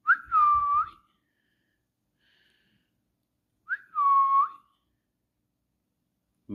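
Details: Parrot giving two clear whistled notes about three seconds apart. Each starts with a quick upward flick, then slides gently downward and holds steady before fading. A soft knock is heard at the end, otherwise silent.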